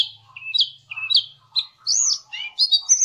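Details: Song of the Javan cochoa, locally cingcoang or jongkangan, played as tutoring material for songbirds. Paired whistled notes dip and rise, then come varied arched whistles and quick chirping phrases.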